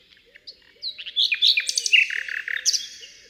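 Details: Common Nightingale singing from thick undergrowth in Britain: a quiet start, then a loud burst of varied whistles, rapid trills and sharp notes, with soft and loud tones alternating.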